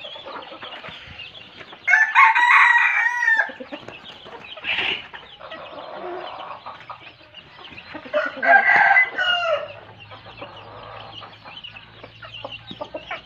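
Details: Red junglefowl used as a decoy bird, crowing twice about six seconds apart. Each crow is a loud, rough, broken phrase lasting over a second, with fainter clucking and rustling between them.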